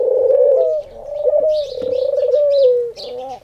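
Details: Khumra (singing dove), whose call is likened to "Haq Allah Hoo" at daily prayer time, delivers one drawn-out steady coo that slides down at the end, over faint high chirping of smaller birds.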